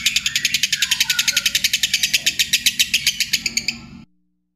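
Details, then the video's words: Lovebird, a contest-winning master recording used to train lovebirds for singing contests, giving a long ngekek chatter: rapid, buzzy, high notes repeated about four times a second for four seconds, with a low hum underneath, then silence. "Masteran loveBird Juara"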